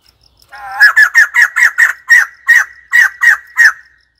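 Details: White-crested laughingthrush calling: a loud, harsh chattering burst of about eleven rasping, broadband notes delivered in quick rhythmic succession over roughly three seconds, with faint insect pulsing audible before it starts.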